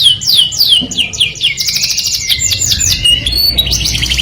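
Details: Melodious canary song meant to attract the opposite sex: a string of clear descending whistles, then fast buzzy trills and repeated chirping notes delivered in quick succession.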